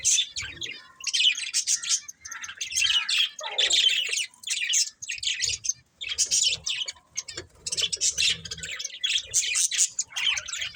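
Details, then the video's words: Budgies chattering continuously in rapid, harsh, warbling chirps, broken into short bursts with two brief gaps near five and six seconds; soft low rumbling underneath. "Beautiful Budgies Chirping Sounds"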